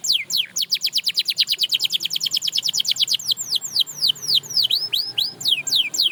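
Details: A canary whose singing is said to inspire others to sing again delivers a long, fast run of sharp descending whistled notes that slows into wider, swooping up-and-down notes.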